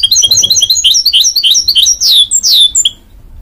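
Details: Goldfinch mule, crossed from goldfinch and canary, gives rapid repeated chirps, then loud downward-sweeping whistled notes before stopping.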